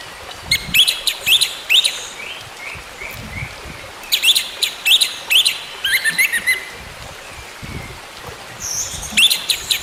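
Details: Orange-headed thrush singing, used to coax a silent bird into song again: repeated chirpy phrases of rising high notes, given in groups with short pauses.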